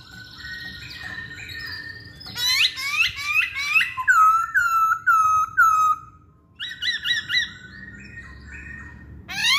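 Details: Masked laughingthrush singing as bait for other songbirds: rapid chattering notes lead into a descending series of short whistled phrases, then a pause and a few level whistles.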